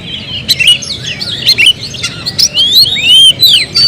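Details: Caged Oriental magpie-robin song: varied whistled phrases, rising and falling slurs around high pitch, with sharp clicks and chattering notes in quick succession.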